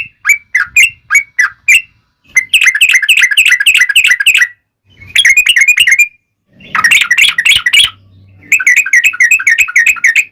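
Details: Lure recording of yellow-vented bulbul song meant to set off other bulbuls: separate bubbly whistles at first, then dense, fast chattering runs of liquid notes broken by short silences.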